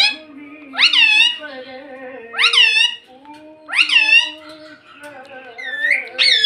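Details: Talking parrot that is said to say mummy and papa. It utters three loud, rich, voice-like phrases, each rising sharply then falling, about every one and a half seconds, over a faint steady low hum.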